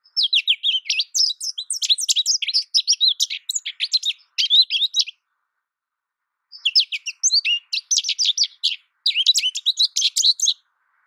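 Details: American goldfinch song in two long bursts of fast, high twittering with sweet slurred notes, broken by a silent pause of about two seconds in the middle; a quiet, clean recording.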